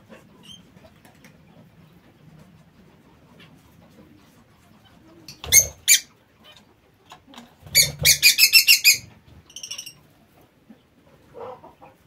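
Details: Lovebirds in a home aviary: after a quiet spell, a couple of sharp squeaks, then a rapid run of harsh, grating shrieks, about eight in quick succession, trailing off into a few fainter calls.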